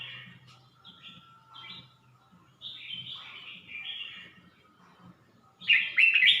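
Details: Red-whiskered bulbul at Suan Phueng, Ratchaburi, singing short warbled phrases, each about a second long, separated by pauses, with a louder, richer burst at the end and faint low knocking underneath.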